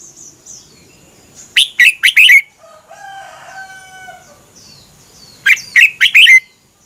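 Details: Thai caged red-whiskered bulbul song, played so birds learn it or get excited: two lively phrases of four to five warbled chirps, separated by a pause with a faint, low, steady drawn-out call.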